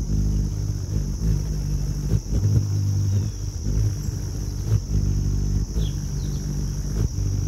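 A Ruby-throated Hummingbird's wings make a low, steady, bee-like hum that swells and fades. A faint high steady whine runs throughout.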